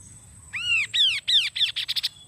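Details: Kaso-kaso bird song, used to lure wild birds into singing: a run of loud arched, harsh notes that quicken and shorten into a rapid chattering burst, over a steady high electronic-sounding whine.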